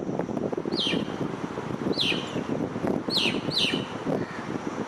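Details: Four clear down-slurred chirps, spaced about a second apart, from a starling sitting on an electric wire, with heavy low traffic and wind noise beneath.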